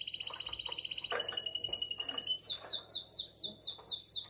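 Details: Canary singing in breeding condition to call the female, Shkodër, Albania: fast high trill, then a quicker tour, then slower sweeping notes repeated about four times a second.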